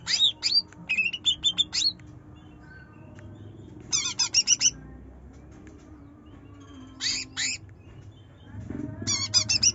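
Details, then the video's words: Greater green leafbird song played to provoke a lazy, quiet bird into singing; a trotol bird delivers separated bursts of rapid, high whistled and chattering notes with pauses of several seconds between phrases. "Cucak Ijo Trotol Gacor Nyerecet Nembak || Pancingan Cucak Ijo Malas Bunyi"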